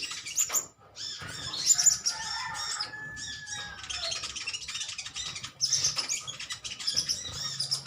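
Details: A colony of metallic green sunbirds chattering at one another, dense high twittering throughout, with a few clearer, lower, drawn-out whistled notes sliding through the middle.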